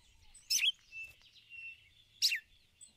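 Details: A female red-cowled cardinal gives ticulau calls to stir the male. Two loud, sharp, falling chirps about 1.7 seconds apart stand over a faint, sustained high tone.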